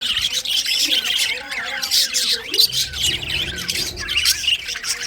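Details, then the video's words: Budgerigars in winter chirping together, a dense continuous chatter of high, scratchy warbles and squawks with quick rising and falling notes and brief lower murmurs underneath. "winter session Budgies parrot chirping sounds"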